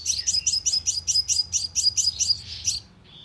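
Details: Sunbird lure call played through a speaker trap to attract birds: a steady string of about twelve sharp, very high chirps at an even pace, ending with a softer thin note.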